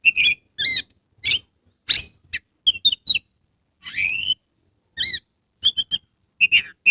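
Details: Caged Oriental magpie-robin from Kebumen, Central Java, Indonesia, singing persistently with tail spread. Its recording serves as a lure for reluctant birds. Loud, varied phrases of whistled and buzzy notes, including rising sweeps, about every half second, in a quiet background.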